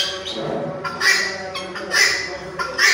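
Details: ['Strident red-wattled lapwing notes, three loud bursts close together, following softer, lower sounds at the start.']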